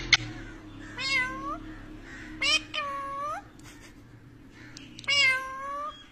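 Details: Talking parrot kept indoors gives three separate nasal, meow-like calls with falling tails, spaced about two seconds apart, over a low constant room hum.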